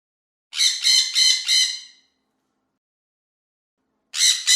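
A parrot gives four harsh, grating squawks in quick succession, then a pause before two more. No other sounds are heard.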